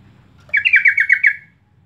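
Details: Sooty-headed bulbul lure call meant to get other birds singing: one quick bubbling burst of about seven chirpy notes lasting under a second.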